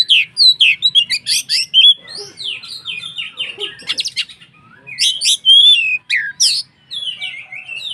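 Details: White-rumped shama, a singing bird used to provoke other shamas into singing: rich, varied song of whistled notes, rapid chips and buzzy trills between 2 and 8k, delivered in quick bursts with short pauses.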